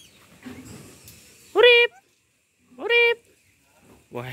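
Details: Young tame black-capped lory just beginning to learn to talk, giving loud, harsh, harmonic vocal bursts: two strong ones about a second apart, then a shorter third at the end, over a faint background murmur.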